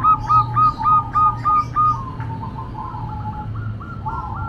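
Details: Female local zebra dove cooing noisily. Eight loud, rapid, staccato notes roll out evenly, then a softer trailing series of similar clipped notes continues over a steady low hum.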